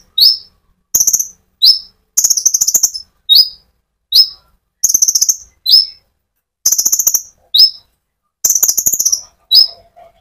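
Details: Sunbird (konin) in rolling song, meant to provoke other sunbirds; short falling chirps and rapid high stuttering trills alternate regularly, about one phrase every second.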